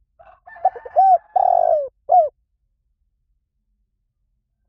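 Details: Spotted dove cooing in the 'liu tan' style, played to lure and train doves to coo back: a few soft notes leading into mellow hooting coos and a long falling coo, then silence before another coo begins.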